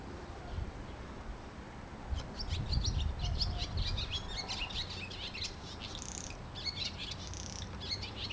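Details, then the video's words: Swallow in a home garden, twittering rapidly in quick, high, chirpy notes that run almost continuously from the second second onward, with a low rumble of background noise beneath. "ツバメの鳴声・Cries of swallow"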